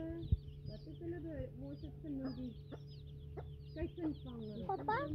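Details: Free-range chickens with their young chicks: quiet, low hen clucks and grumbles mixed with frequent high, thin chick peeps that grow busier toward the end, over a steady background hum.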